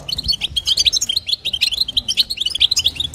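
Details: Rapid liquid twitter of a female European goldfinch, calling to stimulate the male in the local batbata and sastasa styles; short high chirps follow each other almost without a break.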